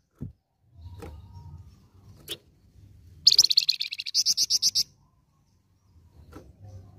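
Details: Flamboyan singing a lure song to make other birds respond: a single rapid trill of high, bright repeated notes that slows into evenly spaced, clearer notes, flanked by a few soft clicks and low rumbling background.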